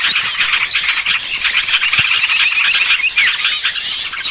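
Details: Lure recording for small birds that are reluctant to come down: a dense, continuous twittering of many small birds, with overlapping high chirps and rising and falling whistled notes and a steady ticking of sharp clicks throughout.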